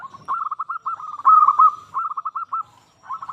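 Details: Local zebra dove in full song, kept as a lure to prompt other zebra doves to sing; a rapid run of soft, rolling coo notes on a steady mid pitch, loudest in the middle, then a brief pause and a final short burst.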